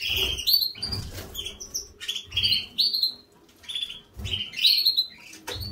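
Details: Bathing canary gives repeated sharp, high, slightly descending whistled notes in quick clusters, while wings flap and water splashes beneath the calls.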